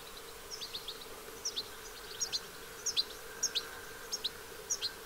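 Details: Western yellow wagtails, a family bathing at Lake Hornborgasjön, Sweden, on 15 August: short high sharp chirps, often in close pairs, repeated about every half second over a steady low hum and buzzing insects.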